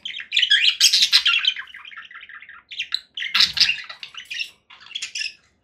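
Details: Conure parakeet giving harsh, broadband squawks and chattering calls in rapid bursts, some drawn-out grating notes, with pauses between flurries; a brief low splashing sound midway.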